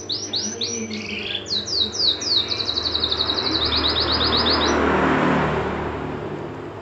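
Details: Canary in full song: a long run of quick descending whistled notes blending into a rapid rattling trill, lasting about four seconds, against a constant low background rumble like traffic.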